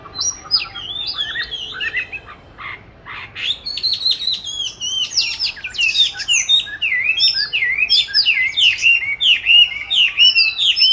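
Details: Caged oriental magpie-robin, kept since 29 July 2020 and recorded 22 March 2021, hung in an ideal spot for song practice; continuous rich whistled song of varied rising and falling phrases, quick chirps and sweeping notes with no pauses.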